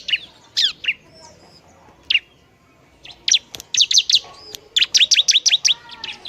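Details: Bar-winged prinia, known as ciblek, singing to provoke other prinias: a few isolated high chirps, then an accelerating volley of sharp, bright notes near the end.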